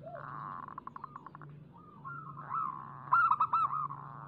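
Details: Local zebra dove lure song meant to start doves singing: soft, faint cooing notes at first, then one loud bubbling, rolling coo phrase near the end, over a constant low hum.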